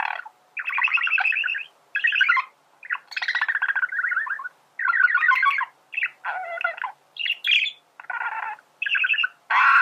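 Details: Singing male budgie, a song used to train other birds to sing: phrases of rapid buzzy chatter and scratchy warbling, split by short pauses, with sharp squeaks in between.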